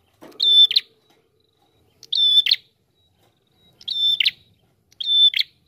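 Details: Prinia singing steadily as a lure: four loud phrases, each a flat shrill tone ending in a grating buzz, separated by one to two seconds. A brief low scrape comes at the start.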